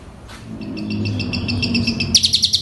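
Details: Asian pied starling song with mimicked fill-in phrases, used to train other birds and to prompt a reluctant starling to sing. A fast run of high, evenly repeated chirps builds, then ends in louder, sharper notes over a steady low hum.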